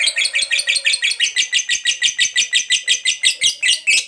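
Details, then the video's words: Lovebird, fighter type, in long ngekek chattering intended to provoke other lovebirds: rhythmic, raspy high notes, roughly four per second, each with a rough buzzy quality, running continuously. "Pancingan Suara Lovebird Ngekek Panjang"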